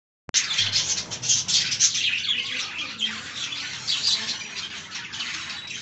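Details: Several budgerigars eating fresh green leaves, giving a dense, continuous stream of high scratchy chirps and squawks that overlap without pause, with faint low rumbling beneath.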